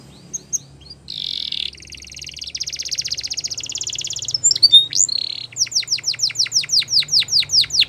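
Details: Canary singing a varied song: buzzy rolling trills, a quick sweeping flourish, then a steady series of sharp descending chirps about every third of a second.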